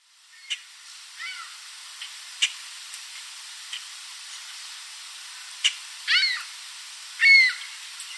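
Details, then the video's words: Common Grackle perched in a backyard tree late in the evening in Southern Ontario, Canada, spreading its wings as it calls; scattered sharp chirps, then two loud, harsh, squawking calls near the end, with other birds faint in the background. "Common Grackle Calling"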